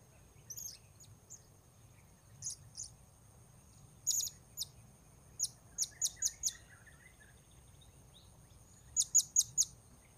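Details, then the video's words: Blue-crowned hanging parrot calling at Port Baru while wild birds are lured: scattered thin high chirps, some softer and distant, then a run of five even notes and a final quick loud cluster of three or four. "Memikat Serindit Di Port Baru"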